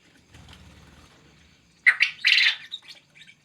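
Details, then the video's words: Male quail calling vigorously: a brief faint low rumble, then two loud, harsh, buzzy bursts about half a second apart, followed by a few softer high chirps. "Suara burung puyuh jantan gacor"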